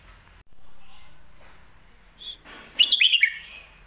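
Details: Competition-trained Red-whiskered bulbul in a cage sings a lak wai or mae bot phrase: a short high note, then a quick string of five loud, bubbling whistles over quiet room sound.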